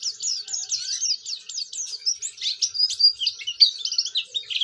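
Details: Oriental white-eye, a lively singing bird used to prompt other white-eyes to sing, pouring out a fast, continuous stream of high, thin twittering and warbled notes without pause.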